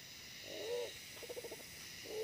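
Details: Wild pigeon calling during decoy trapping, the decoy a smaller but aggressive bird; one soft, low bowed coo, then a rapid fluttering string of short notes, and the start of another coo, with steady hiss behind.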